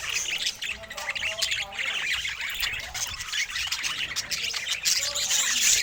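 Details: Happy-looking pet budgerigar: steady stream of scratchy, high warbled notes and quick chirps, rising and falling in loudness with no pauses.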